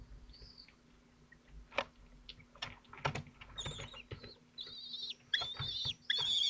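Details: Falcon nestlings, twelve days old, struggling one after another to tear and swallow big prey at Théding on 22 June 2023. Scattered clicks and scuffling sounds give way to loud, high, drawn-out squeals near the end.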